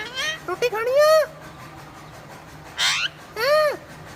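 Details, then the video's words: Punjabi-speaking parrot with loud, rich voice-like syllables that rise and fall in arches, a rough breathy burst, then one more clear arched syllable, all over a low background hum. "Parrot talking in punjabi | parrot speaking punjabi"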